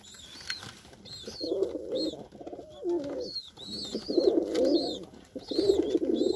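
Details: Rough, buzzy cooing bouts from a white Lokkha pigeon of India, each lasting about a second and returning regularly, accompanied by scattered high chirping from other birds.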